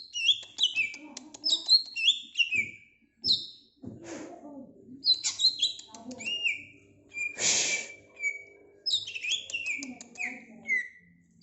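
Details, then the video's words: A greater green leafbird pours out a long varied song of high whistles, chirps and descending slurs, with brief thumps and a short hiss of noise interrupting the phrases. "Kicau Cucak ijo"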